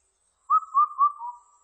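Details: Indian cuckoo song: a single phrase of four clear whistled notes, the first three at an even pitch and the fourth slightly lower and drawn out, heard against a quiet background.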